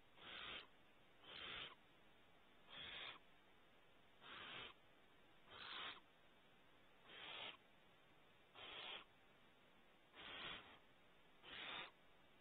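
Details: Barn owl owlets at a nest cavity on a California ranch repeat rough, wheezy screeching hisses. Nine evenly paced noisy bursts arrive roughly every 1.4 seconds against a faint low-pitched hum.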